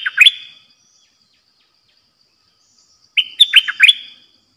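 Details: Decoy bulbul, caged for bird trapping, delivers two lively phrases of fast, clipped whistled notes dipping and rising, with a quiet gap of over two seconds between them.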